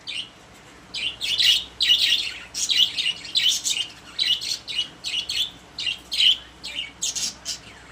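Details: A group of pet budgerigars in their cage keep up steady high chirping and warbled chatter, notes following one another quickly with brief pauses.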